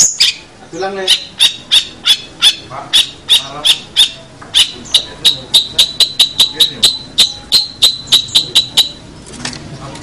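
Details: Long-tailed shrike song used as training material for other cage birds: a steady series of sharp, clipped high notes repeated about three times a second, with some faint chattering underneath.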